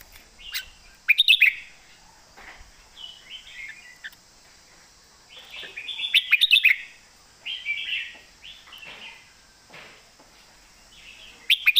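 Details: Caged red-whiskered bulbul singing a standard master song: loud bursts of sharp chirping notes alternate with softer warbled, slurred phrases, with the loud bursts spaced several seconds apart.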